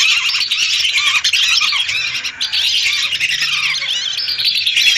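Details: Lesser whistling ducks, hundreds together, used as a lure. A busy, continuous chorus of sharp whistles and squeaks swells and eases slightly.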